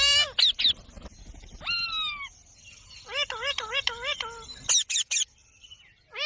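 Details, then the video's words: Ringneck parrot calling: harsh rasping screeches, a long descending nasal note, then a quick series of wavering bent calls, with more short screeches near the end. "Parrot sound | Ringneck parrot|"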